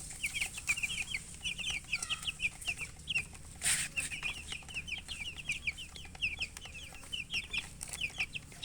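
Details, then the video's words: Chirping baby chicks: strings of sharp, high, descending peeps in quick succession, nearly continuous, broken once by a brief burst of hiss. "Baby "Chicks Chirping" Sound"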